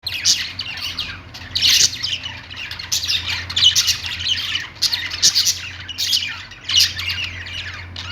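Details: Pet budgerigars, an Australian parrot, chirping together: dense, scratchy warbling chatter in repeated surges every second or so. A steady low electrical hum runs underneath.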